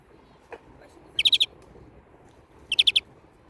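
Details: European greenfinch, Turkish name Florya Kuşu: two short bursts, each of four rapid, bright chirping notes, given about one and a half seconds apart. A faint single click comes earlier, over a quiet background hiss.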